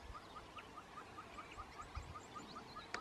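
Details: A male Buff-crested Bustard in East African dry acacia bushland stretches his neck to attract females. He gives a steady series of dry, mid-pitched ticks, about four or five each second, over a faint open-country hiss.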